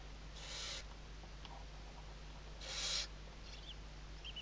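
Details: Western barn owl at Riet Vell Nature Reserve in Spain's Ebro Delta, Tarragona, morning in the 2023 season. Two drawn-out, wheezy hisses about two seconds apart, with faint chirps in between.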